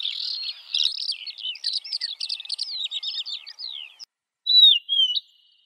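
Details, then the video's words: A lark sings a busy, high chattering run of whistles and buzzy notes for four seconds, then, after a short silence, one clear looping whistled phrase. "تغريد طائر قبرة الحقول(القوبع) Chant de Alouette des champs"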